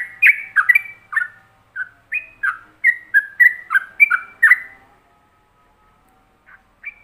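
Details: Yellow-vented bulbul, trucuk, singing a ropelan-style practice song meant for other bulbuls to copy: a quick run of rich, warbling whistled notes, rising and falling, about four seconds long, then silence and two short notes.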